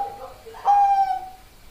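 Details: Bangkok-strain zebra dove (perkutut) giving a single drawn-out, steady mid-pitched coo about half a second long, preceded by a few fainter soft notes in a quiet setting.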